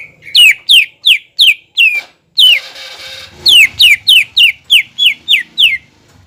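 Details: Greater green leafbird song meant to stir a rival bird: rapid series of sharp downslurred whistles, about three per second, broken by a short noisy rasp, then the series resumes.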